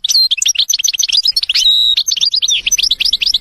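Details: Wild goldfinch in forest delivering a rapid, bubbling twitter with a brief steady whistle in the middle, continuous for over three seconds, soft low rustle near the end.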